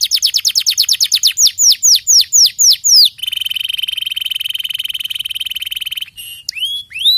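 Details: Canary song opening with rapid downslurred whistles that start fast and then slow down. A steady, even rolling trill follows for about three seconds, then a few separate upswept notes.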